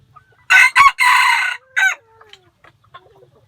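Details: White-eared decoy rooster crowing, praised as among the most beautiful crows: one loud, harsh, broken crow of four strained bursts with the longest held in the middle, then quiet soft clucks and faint calls.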